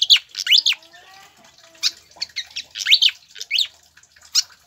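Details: Pied fantail song for getting captive birds to sing: bright rising whistled phrases interspersed with short high chirps, in uneven bursts.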